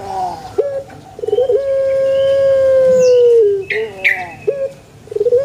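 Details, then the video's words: Male collared dove cooing, used to prompt other doves to call: short introductory coos, then one long, steady, drawn-out coo lasting about two seconds before dropping, followed by brief coos; faint chirps from other birds. "SUARA ASLI BURUNG PUTER JANTAN"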